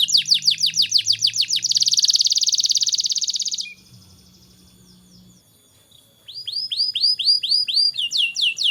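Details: Canary singing as a model for young canaries: quick repeated downslurred notes, a dense buzzing trill, a near-silent pause, then looping whistled notes repeated steadily.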